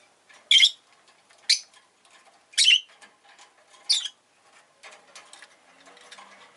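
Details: Pet rosy-faced lovebird calling with four loud, shrill chirps spaced about a second apart, followed by softer rustling and faint background noise.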